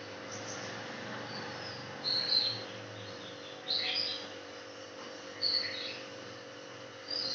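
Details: Bulbul, identified only as either a trucuk (yellow-vented bulbul) or a cucak jenggot; short, high, thin whistled phrases come about every one and a half seconds over a steady low electrical hum, with faint chirps between them.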